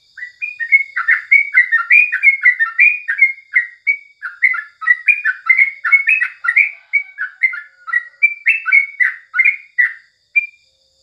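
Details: Morning song of the sooty-headed bulbul, used as a training recording for songbirds: rapid, bubbling chattered phrases with warbled twists, almost unbroken for about ten seconds. A thin steady high tone sits in the background.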